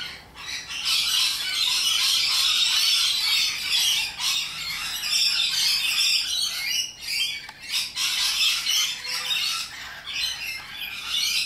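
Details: Loud wild rainbow lorikeets, Australian nectar-feeding parrots, screech in a sustained harsh chorus, long raspy bursts broken by brief dips, noisy and grating throughout.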